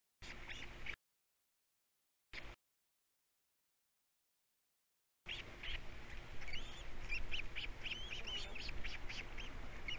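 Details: Three osprey chicks at a Captiva nest during feeding time, giving quick repeated chirps with a few thin rising whistles, over a steady low hum, after a mostly silent start.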